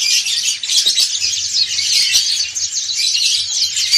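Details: Massed ngriwik singing by dakun and montanus white-eyes. Piercing, high, fast twittering notes overlap densely in one unbroken chorus, and a low hum sounds faintly in the background.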